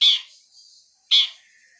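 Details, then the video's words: Long-tailed shrike, blangkon type, described as wild: two loud, harsh rasping notes about a second apart, each trailing into a thin fading tone. "Kicau Burung Cendet Alam"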